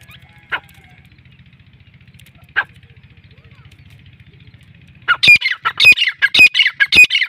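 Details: Captive Sindhi-breed black francolin, a male kept as a calling bird, gives its harsh grating call in the last two seconds: a rapid run of squawky notes repeated about twice a second, after two faint single notes over a low engine-like hum.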